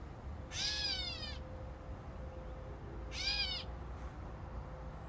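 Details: Catbird calling in fig trees: two nasal, cat-like wailing notes, each about half a second to a second long and arching in pitch, spaced roughly two and a half seconds apart over a steady faint hum.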